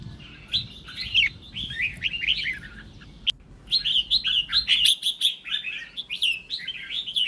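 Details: Red-whiskered bulbul song used to provoke other birds into singing: dense, rapid bursts of sweet, warbled chirps, with a short break near three seconds before the phrases resume more loudly.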